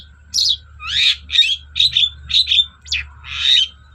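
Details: Long-tailed shrike singing energetically, a lure recording meant to make reluctant shrikes sing: a run of short, buzzy, harsh chattering notes around two to eight per second, uneven rhythm, over a faint steady hum.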